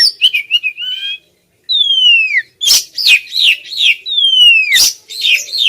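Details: Female white-rumped shama calling doggedly at a male, with quick warbled notes, a pause, then long clear downward-sliding whistles alternating with harsh rasping bursts.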